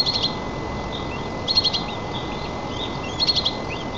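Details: White-tailed eagle (Haliaeetus albicilla) at a nest 35 m high in Nizhnyaya Kama National Park, Tatarstan, during feeding of the chick, 4 May 2024: thin, high chittering bursts about every 1.5 seconds over electrical hum and rushing noise.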